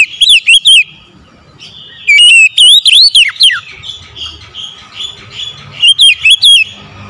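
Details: Morning song of an oriental magpie-robin: three bursts of loud, looping whistled phrases, with softer sustained whistles between them.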